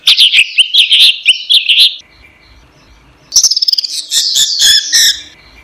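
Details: Orange-headed thrush song recorded as training material for caged birds: a rapid run of high, twittering notes, a two-second pause, then a fast, dense chatter of mimic-like phrases.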